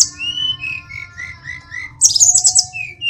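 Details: Sulingan, or tledekan gunung, a small bird originally from Kokap, Kulon Progo, Yogyakarta, said to imitate many songs: clear level whistles repeated about every quarter second, then a burst of high, buzzy, chattering notes.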